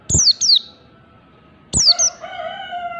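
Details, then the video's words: Doubled thin, high, descending chirps from a wild-type 'ngalas' Oriental white-eye, two pairs spaced well apart, with a rooster starting a long steady crow at the end. "pleci ngalas standar ^^ Oriental white eye bird | pancingan pleci ampuh"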